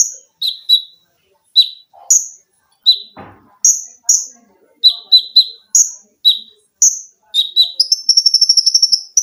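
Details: Olive-backed sunbird, a caged songbird training recording with rapid shots, shrill notes and fast chatter: sharp high descending chips repeated in quick succession, ending in a rapid buzzy trill, with a brief low thud midway.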